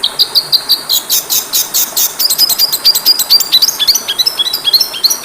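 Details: Oriental magpie-robin song from a masteran training recording meant to boost a fighter bird's spirit: a rapid, dense run of high, sharp chirps and whistles, opening as a thick burst, then breaking into quick, spaced, rising-and-falling notes.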